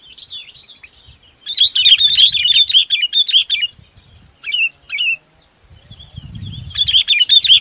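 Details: Chinese babax gathering the flock with long bursts of busy, twittering chirps, two short separate notes, then more chattering, over faint low rumbling.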